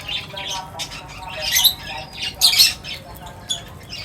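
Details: Several birds at a feeding spot produce a busy mix of high chirps and harsh squawky notes, with louder bursts around the middle of the recording.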